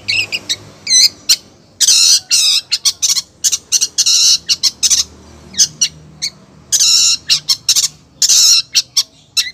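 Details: A female long-tailed shrike calls the male with loud, rasping, broadband squawks alternating with quick high chirps. The bursts come in rapid, uneven runs with brief pauses between them.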